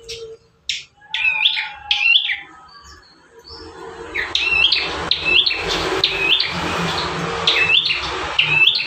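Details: Bar-winged prinia singing, one of five song variations used as a master recording to train caged birds; scattered chirps give way to sharp whistled notes that sweep downward, repeated at short, uneven intervals.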